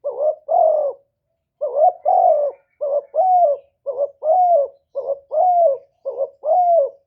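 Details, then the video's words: Spotted dove kept as a lure bird, its one-ending call aimed at provoking wild doves: steady series of paired coos, a short wavy syllable then a longer falling one, about six pairs repeated evenly. "TIẾNG CHIM CU GÁY 1 HẬU RÒNG BỔI CỰC GHÉT, CU GÁY KÍCH BỔI CỰC CHẤT, TIẾNG TIẾNG CHIM MỒI"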